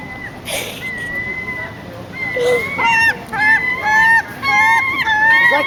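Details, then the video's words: A gull squawking for food gives harsh, nasal calls: a few drawn-out squawks, then a loud burst of four ringing cries in quick succession, with faint background rustle. "Crazy Seagull Squawks"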